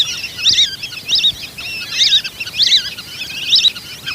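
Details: Whistling duck lure call: five evenly spaced bursts of shrill, warbling whistles, each a short looping phrase about every six-tenths of a second, over quiet background hiss.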